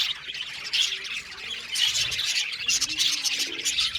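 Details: Several budgerigars chattering in an aviary, quick overlapping chirps and rasping squawks forming a continuous busy chorus.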